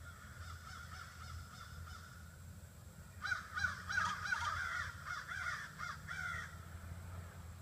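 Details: Faint caws build into a loud burst of rapid overlapping caws midway, then taper, as a flock of about 30 to 40 crows settles into trees in front of a house in the evening.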